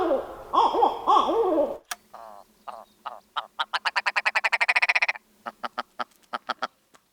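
Willow Ptarmigan giving a harsh, nasal rattle of rapid clucks that speeds up, then breaks into slower separate barks. A brief wavering, voice-like sound opens the recording.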